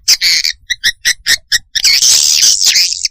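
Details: Swiftlet lure call played to attract swiftlets: dense buzzy chirps in quick bursts, then a long continuous twittering stretch high in pitch.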